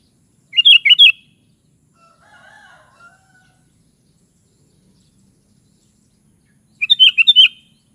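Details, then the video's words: ['Sooty-headed bulbul singing bubbly whistled phrases of three slurred notes, about six seconds apart, with a softer, lower drawn-out call in between.'] "SUARA BURUNG KUTILANG"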